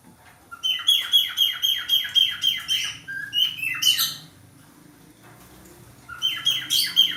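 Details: Male budgerigar singing while in breeding condition: rapid runs of short, clipped, falling chirps about four per second, broken by a brief pause and a raspy squawk, then the chirping resumes.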